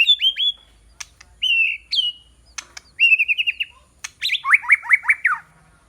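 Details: Decoy white-rumped shama singing to lure rival birds: clear whistled notes that slide down, short quick trills of repeated chips, and a closing run of downslurred whistles, the phrases separated by brief pauses.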